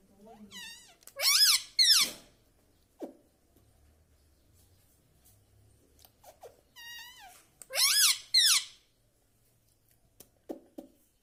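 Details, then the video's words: Pet parrot kept indoors, taught to say mummy, papa and radhe radhe; two loud, high, wavering harmonic utterances in quick pairs, separated by quiet room noise and a few soft clicks. "parrot talking mummy ||papa bolne vala Mithu ||radhe vala Mithu"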